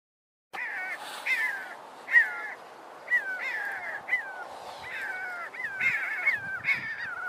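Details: A pair of Jackal Buzzards trade harsh, nasal, yelping calls that droop in pitch, about ten in seven seconds and often overlapping, as they spiral higher on a thermal until out of sight.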